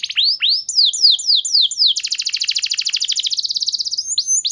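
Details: Clear canary song used to draw other canaries into singing: rising hooked whistles, a series of falling slurs, then a long rapid high trill and closing rising notes.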